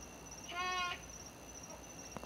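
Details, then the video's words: At night outside, near midnight, a bird gives a single short nasal honk lasting under half a second, buzzy and full of overtones, followed by quiet with a steady high-pitched background tone. "Honking bird sound"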